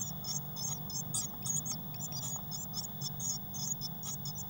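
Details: Six Eurasian blue tit chicks crowded in a nest box on 22 May 2019, some flapping their wings; rapid, thin, very high chirps tumble over one another almost continuously above a steady low electrical hum.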